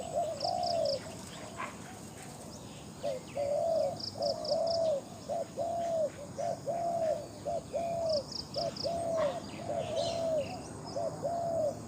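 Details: Decoy-held spotted dove with a strong voice cooing persistently: a long run of short, evenly spaced coo-hoo phrases, roughly one per second, with occasional high chirps and faint insect buzz behind.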